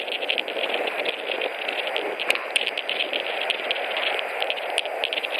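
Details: Nesting white-tailed eagles in Latvia on 21 March 2018, adding hay before mating; a chattering run of fast high yelps continues throughout, with some sharper clicks, under a steady background rush.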